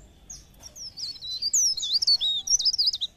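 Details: Pare pare bird singing, used to encourage other birds to sing: quick sliding chirps leading into a rich, rapid jumble of high, twisting whistles that continue to the end.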